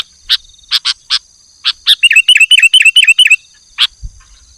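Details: Actively singing sooty-headed bulbul: a few sharp spaced chips, then a rapid series of seven matching hooked whistled notes, then one last chip. A faint steady high tone lies beneath, with a brief low thump near the end.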